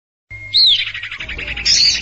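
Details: Common iora lure recording: a thin rising-falling whistle, then a fast run of pulsed chirps and high bright whistled notes near the end.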